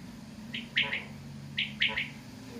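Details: Quail, called batair, giving a sharp high three-part call, a short note then two quick clipped notes, repeated twice about a second apart over a steady low hum.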